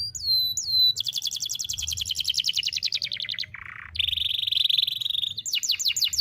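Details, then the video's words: Canary master song for young canaries: two looping whistles, a long fast trill of high sweeps, a low buzzy note, a steady high rattle, and a closing burst of quick chirps. "KENARI GACOR NEMBAK TAJAM , DURASI PANJANG SATU NAFAS || CUIT CUIT MASTERAN KENARI PAUD AGAR BUNYI"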